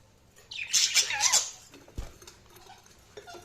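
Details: Budgerigar chirping: a brief burst of rapid, warbling high chirps and twitters lasting about one second, followed by a soft thump and quiet room background.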